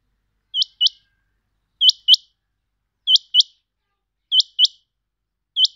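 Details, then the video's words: Pet rain quail, known locally as chinga batair, repeating piercing, metallic doubled notes at an even pace of about one pair per 1.2 seconds, ending on a single note, with no other sounds. "My rain quail sound chinga batair ki awaz"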